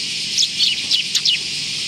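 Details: Sparrows recorded on 24 July 2019, giving a short run of about five high, thin chirps. The chirps are quick, sharply falling notes, spaced roughly a quarter second apart.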